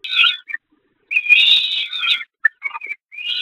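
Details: Peregrine falcon young during feeding on the Catharinakerk nest grating, 11 May 2021; harsh, high screeching begging calls, one long buzzy scream among shorter chips and broken notes.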